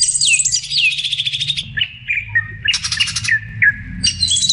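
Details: Sooty-headed bulbul song meant to attract birds: falling whistled slurs and short gurgling notes, interrupted by buzzy rattles, with low droning hum throughout.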